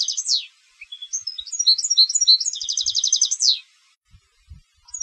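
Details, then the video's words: European goldfinch kept as a competition songbird delivers a liquid, high-pitched twittering phrase that runs into a rapid rattling trill ending in a descending slur, then falls quiet with faint low knocks. "Jilgueros de Concurso - Canto del Jilguero"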